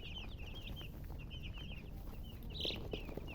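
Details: Chicken chirping: thin, high peeping notes in quick clusters, with short pauses between runs, heard over a low rumbling background.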